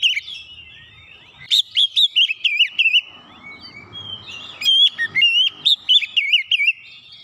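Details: Rapid Oriental magpie-robin song for stirring a lazy bird into song; wavering whistles, a steady run of looping notes, a soft hissy gap, then another varied whistled sequence.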